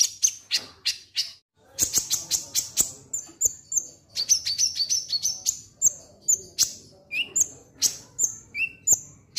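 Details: Konin lovebird singing ngek ngek style, used to get birds singing: steady quick sharp chirps, about two a second, mixed with high clipped whistles and a few lower squeaks.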